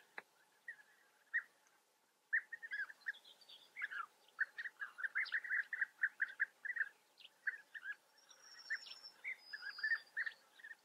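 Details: European bee-eaters in the Eifel, Germany, calling as a group: dense runs of short, rolling, burry notes, repeated rapidly and overlapping after a brief silence, with a few thin higher notes and steady low background hum.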